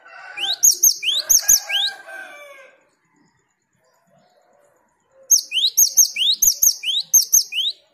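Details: Cinereous tit (gelatik batu) lure and tutor song aimed at provoking fast 'ngerol' rolling: upward-swept whistles, each with a bright top note, in two runs. Lower chattering noise overlaps the first run, then a gap of quiet.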